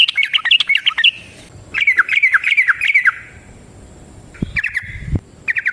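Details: Rapid fighting song of a yellow-vented bulbul, or trucukan, meant to make other birds answer; quick bubbling phrases of fast notes that break off, resume, then trail into short bright fragments with gaps of quiet between.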